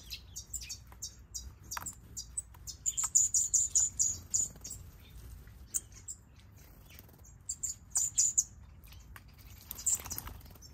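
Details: Red-billed leiothrix (Pekin robin) bathing in an aviary, giving thin, very high chirps in quick bursts of five or six notes, with occasional soft splashes of water.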